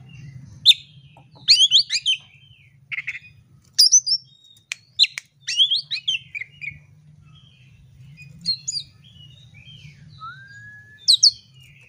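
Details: Oriental magpie-robin song played to provoke fighting: scattered bursts of sharp, varied whistles and high chips, with pauses between phrases and a steady low hum beneath.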